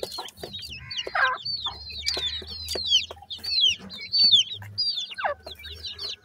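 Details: A group of grey francolin chicks calling continuously with many overlapping high, downslurred cheeping notes and occasional sharp clicks, over a faint low hum.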